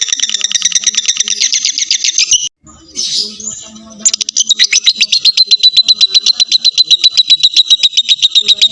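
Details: Lovebird in a full ngekek trill, used as a lure to lengthen other lovebirds' singing: rapid, high chattering notes repeated several times a second. A short pause and brief harsh burst come midway, then a steadier, long trill.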